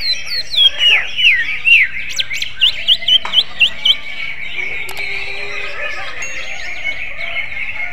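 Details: Greater green leafbird singing like a magpie-robin: a clear series of about ten loud, sharply slurred whistled notes, each dipping and rising, given roughly every third of a second, followed by softer chattering warbles.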